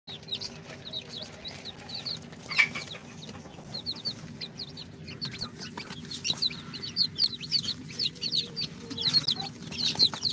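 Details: Newly hatched chicks of Sultan, Golden Sebright, Cochin and booted breeds, two days out of the incubator, give high, short, downslurred peeps scattered through the clip, several birds calling over one another; a steady low hum runs beneath.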